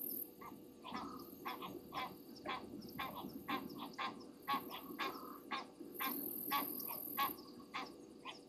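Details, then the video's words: Upset Egyptian geese at Gowrie dam, Djuma Game Reserve, South Africa, late on a January night: rasping honks in quick, uneven runs, roughly two a second, while shrill insects buzz in bursts overhead. "Egyptian Geese upset over something"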